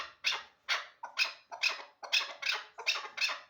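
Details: Chukar partridge of a hybrid hunting line repeating loud, grating chuck calls at an even two-per-second pace, each burst bright and abrupt then trailing off; no other sounds stand out.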